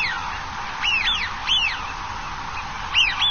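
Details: Eurasian wigeon (Anas penelope) by the shore of Dapeng Bay on 26 November 2018, a wintering bird, giving clear, arching whistles, several in quick pairs, rising then falling, over a soft background hiss.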